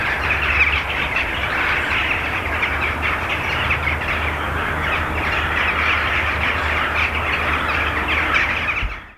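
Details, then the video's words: A rook pre-roost, mainly rooks in a mixed flock with jackdaws, gathered in treetops before going to roost, recorded from about 400 m: a continuous din of harsh, overlapping caws over a steady low rumble. "Rook pre-roost"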